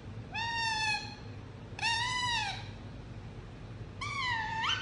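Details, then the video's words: Pet Indian ringneck parakeet gives three drawn-out, nasal, slightly arching calls, each under a second, over a low background hum; rose-ringed parakeet. "Indianringneck Chirping Sound"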